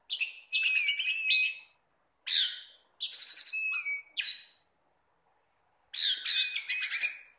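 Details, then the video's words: Pet orange-headed thrush (punglor or anis merah) singing in a relaxed, leisurely manner in captivity: dense scratchy high phrases with thin whistled slurs woven in, separated by short pauses. "Burung Punglor / Anis Merah teler nyantuy mawon masehhh"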